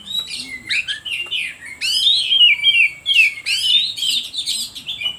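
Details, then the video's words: Oriental magpie-robin delivering lure song to provoke other birds. Dense, loud, melodious whistling mixes long slurred notes with rapid rising sweeps, running almost without a break. "Suara Pancingan Kacer Paling Ampuh || Bikin Burung lain Makin emosi"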